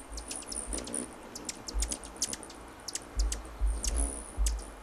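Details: Hummingbirds, described as noisy and territorial, giving sharp, very high chips in quick irregular runs, with low thumping bumps beneath.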